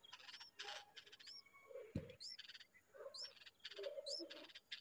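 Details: A bulbul feeding its young with insects in hot weather gives short, sharply rising whistled notes about once a second, over rapid buzzy chatter, soft low warbling notes and a single dull thump.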